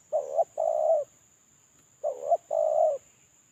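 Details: Moulting spotted dove calling alone as a lure call, giving two double coos about two seconds apart: a brief dipping note, then a longer even coo. A thin steady high whine runs underneath.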